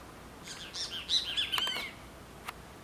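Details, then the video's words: Pair of great kiskadees calling: a burst of harsh, squeaky chattering notes lasting about a second and a half, followed by a single sharp click, in quiet outdoor surroundings. "Casal de Bem-te-vi"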